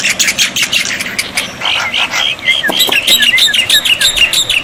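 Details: Tutor song of black-winged myna for coaxing silent birds into answering: rapid harsh chatter giving way to a string of short downward whistled notes, about three per second, amid scratchy noise.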